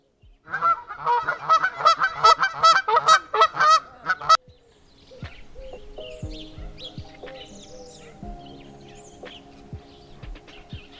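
Domestic goose giving a burst of loud, nasal honks, about a dozen in four seconds, then quiet with faint background tones.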